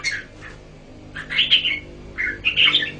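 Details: Red-whiskered bulbul in a cage, harsher slurred whistles in short bursts with a steady low hum in the background.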